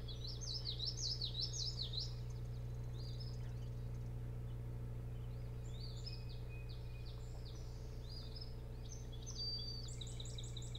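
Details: Night-time nest camera recording of Osprey at the Hog Island boat house nest, Bremen, Maine, 24 June 2018; loud slurred whistles open, then quieter bursts of fast repeated high chirps, with a persistent low hum throughout.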